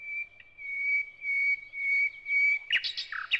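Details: Thrush nightingale song phrase built from long, steady, pure whistles held at one pitch, separated by short pauses, ending in a burst of harsh, clicking notes.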